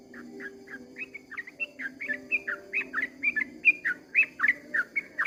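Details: At dawn a yellow-vented bulbul pours out a fast run of liquid whistled phrases, each slurred up and down, repeated roughly three times a second and growing slightly louder, over a low background hum.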